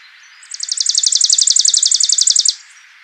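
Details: A Chipping Sparrow sings in early spring in Kentucky, a migrant heard in neighbourhoods all summer. Its song is a dry, rapid, even trill of about twenty-five high chips over two seconds, like a fast sewing machine, over faint hiss.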